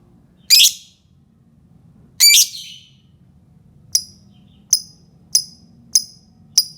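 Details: Lovebird calling to provoke other lovebirds: two harsh buzzy squawks, then five short thin high chirps repeated about every two-thirds of a second.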